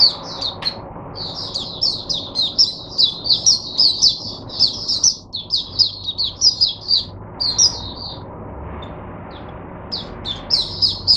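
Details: Caged mata puteh, the oriental white-eye, used as a teacher bird for younger white-eyes, 22 January 2022: fast, sweet, high-pitched warbling bursts of chirps with brief pauses, strongly rhythmic.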